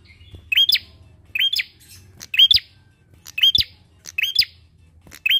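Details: Bar-winged prinia; song; lure to prompt other birds to sing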